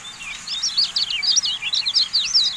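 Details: Javan white-eye song on a training recording for caged birds. A dense, unbroken torrent of high, twittering, zigzag notes runs through the whole stretch, loud and fast.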